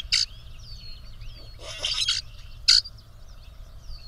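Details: Male grackles displaying to a female, puffing up and presenting themselves as two males compete for her; loud harsh broadband squeaks at about 0.2, 2 and 2.7 seconds between thin sliding whistles, with a low steady background rumble.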